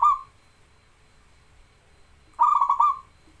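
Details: Energetic local zebra dove song for training and luring reluctant singers: the tail of one coo phrase, a pause, then a full phrase of rapid, bubbling, stuttered notes ending in a longer soft coo.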